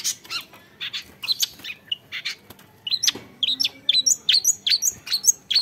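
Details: A young long-tailed shrike sings a jumbled stream of high, squeaky chirps and short whistles, sparse at first, then faster and louder in dense, varied notes.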